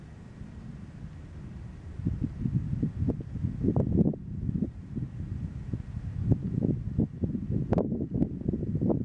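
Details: Gusting wind and rustling leaves with low rumbling bumps against the microphone; no animal voice stands out.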